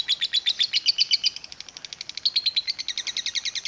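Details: Lovebird 'ngekek panjang' chatter in the 'kereta uap' (steam train) manner: quick, high, clipped chirps, about ten a second, some with brighter whistled tops, in a steady unbroken stream.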